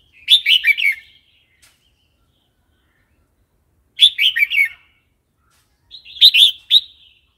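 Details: Red-whiskered bulbul in wild song style, meant for teaching young birds; three bubbly phrases of four or five fast chirping, warbled notes, each separated by about two seconds of silence.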